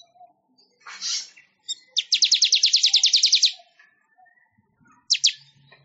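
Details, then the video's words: Weaver (manyar) song for songbird training: a harsh buzzy burst, then a rapid run of some fifteen clipped high notes accelerating slightly over a second and a half, with two sharp chirps near the close. "Suara Ocehan Burung MANYAR"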